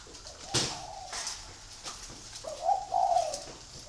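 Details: Spotted dove from a free-range breeding flock at Ba Vì, Hanoi, Vietnam. A brief, faint, low mellow coo phrase arrives near the end, after a couple of sharp clicks and knocks from the surroundings.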